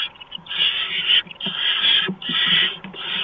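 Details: Barn owls in the nest at night, 6 March 2015, when a mouse is brought: long, loud rasping hisses running almost continuously, broken only by short dips, faint scuffling below.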